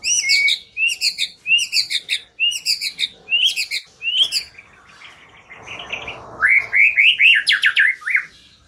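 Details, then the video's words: White-rumped shama lure song to make a bird sing: a rhythmic series of bright, paired chirping notes repeated about three times a second, a short lull, then a burst of rising whistled notes. "Pikat Murai Batu Dengan PANCINGAN GACOR Ini Di Jamin Macet Langsung Bunyi"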